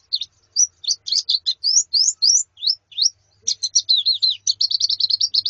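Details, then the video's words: White-eye female and colony calling, used to prompt male song: high twittering notes, some rising slurs, with a pause midway, then dense, rapid chattering trills near the end. "Suara Pleci Betina dan Koloni Untuk Terapi Kicau Pleci Jantan"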